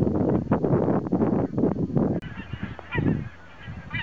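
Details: Geese gathered by thousands at Hjälstaviken, Sweden, during autumn migration on a windy September 22, 2009; loud wind buffeting for two seconds, then clearer clamorous honks rising and falling, with calls overlapping.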